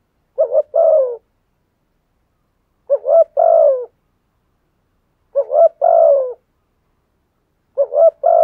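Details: Spotted dove used as a decoy to attract wild birds, giving four steady cooing phrases about every two and a half seconds, each a quick double note leading into a longer, sagging coo, with clean silence between.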